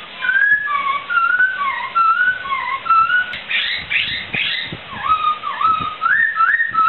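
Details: Poksai laughingthrush recorded singing gacor as a master track: alternating high and low whistled notes in a bouncing rhythm, a burst of rapid arcs, then dipping and rising whistles.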